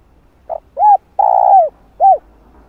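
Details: Spotted dove calling to lure and stimulate wild doves, a full sequence of calling, urging and cooing styles: a short note, then arched mellow coos and one long sustained coo, quiet background.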